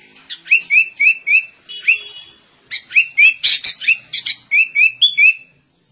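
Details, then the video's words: Sooty-headed bulbul giving a song that copies a white-rumped shama, with quick series of sharp whistled notes, a short buzzy trill, then a dense burst of chattering and clear rising whistles. "Kutilang Rasa Murai Batu"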